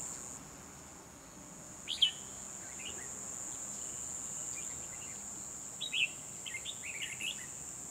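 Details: Red-whiskered bulbul used as a caged lure while trapping wild birds, December 12, 2020; a sharp bright phrase, a pause of about four seconds, then a longer run of chattering warbles, all over a continuous insect whine.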